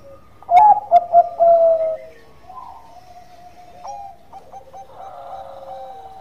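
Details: Relaxed, tuneful lure song from a Bangkok-type zebra dove: a burst of staccato coos and a drawn-out note, followed by a quieter, softer continuation of steady cooing tones.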